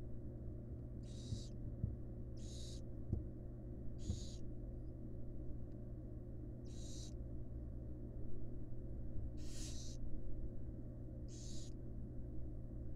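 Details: At a research-monitored nest box, wild barn owl fledglings with their feeding mother: seven long, noisy hisses spread over thirteen seconds, at uneven intervals of one to two seconds, with a faint background hum throughout.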